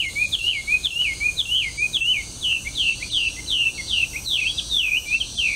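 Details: A feral melodious laughingthrush, an introduced species, sings on the Arakawa riverbank in Itabashi, Tokyo: a rapid run of loud, looping whistled notes, about three per second, over a steady high insect hiss.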